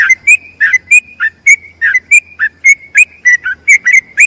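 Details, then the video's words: Yellow-vented bulbul singing a long rapid song for tutoring other bulbuls: clear whistled notes repeated almost twice a second, some sliding downward, with a faint low hum beneath. "BURUNG TRUCUKAN ROPEL PANJANG"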